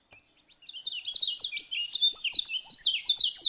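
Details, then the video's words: Lombok yellow oriole in full song, a rapid continuous stream of high, varied whistled sweeps and chattering notes that build quickly after a few soft opening clicks, with no background noise. "Kicau Kecial Kuning Lombok"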